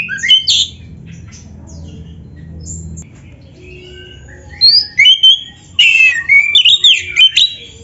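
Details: White-rumped shama song used as a lure for training: a short whistled note, a long near-silent stretch with faint soft notes, then a burst of varied high whistles and chattering phrases.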